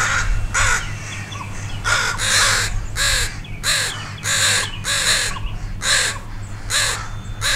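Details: Alarmed parent crows and a gathering mob harass a dog that wandered near two fledglings learning to fly; loud, rasping caws in bursts roughly every half second from several birds, with a constant low-pitched background rumble.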